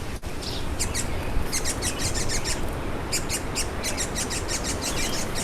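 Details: Mauritius paradise flycatcher chicks, a species endemic to Mauritius, beg during the breeding season with rapid bursts of thin, high chirps, several per second, over a steady low rumble.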